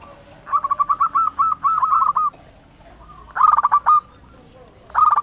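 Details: Local zebra dove in full, loud song, meant to provoke silent doves into singing: a long run of rapid clipped coos, then two more brisk phrases of stuttering notes ending in a longer coo.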